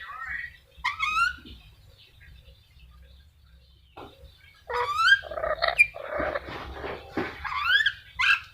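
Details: Black-capped lory uttering scattered squawks and rising, wavering screeches, sparse at first and then a dense noisy burst of mixed shrieks; a low rumbling hum runs underneath.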